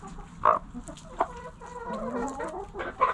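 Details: Hens in a backyard coop clucking: scattered short clucks and a soft drawn-out murmuring call, a few birds calling at once.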